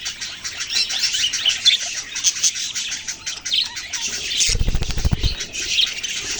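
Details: Baby budgerigars chatter in a steady stream of shrill chirps and scratchy twitters; partway through, a brief burst of low thumping handling noise cuts across the calls.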